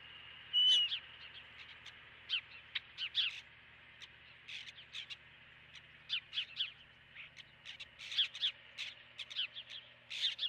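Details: Osprey calling at its nest on 12 March 2016, filmed by a nest camera: a long string of short, sharp whistled chirps, irregular and quickening toward the end. Steady electrical hum in the background.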